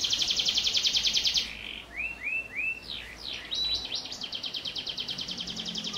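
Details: Song of a canary filled with prenjak (prinia) notes, played as a master song for young birds: a rapid high trill breaks into three rising-falling arched notes, sharp V-shaped sweeps and a brief whistle, then resumes trilling.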